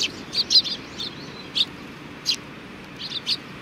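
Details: Sparrows at a Tenmangu shrine in Japan on 4 July 2019, giving short, bright chirps in irregular bursts, some doubled or tripled, with quiet gaps and a low steady background hum.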